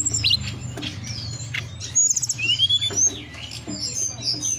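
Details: Mountain forktail song, used as a lure to get birds singing and into breeding condition: piercing high whistles, a brief trill and long drawn sweeps, with gaps between phrases, over a faint low hum.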